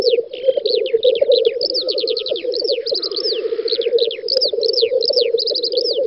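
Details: Spring lek of black grouse on a field in Russia's Volga region, May 2019: throbbing low bubbling chorus throughout, a soft hissing sweep around mid-clip, and rapid chirp trills from other birds.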